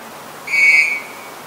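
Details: Single pure, level whistle from a Black-collared starling, recorded 10 February 2023 in Ubon Ratchathani, Thailand, lasting about half a second with strong overtones and little background noise.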